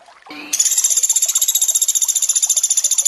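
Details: Sunda pygmy woodpecker, in a training recording of 'tembakan' bursts mixed with water sounds: a brief low note, then a dry, very high rattling trill of rapid even pulses running to the end.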